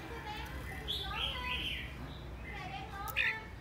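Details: Caged decoy red-whiskered bulbul, aggressive and spinning wildly, singing: a burst of quick whistled, warbling phrases, then a pause and one sharp loud note near the end, over steady low hum and background noise.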